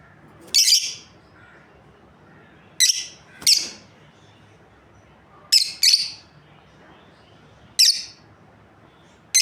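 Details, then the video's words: Chirping from a breeding pair of lovebirds: scattered short, shrill squeaky notes, some single and some in quick doubles, separated by gaps of one to two seconds of near silence. "Amazing Lovebirds Chirping Sounds"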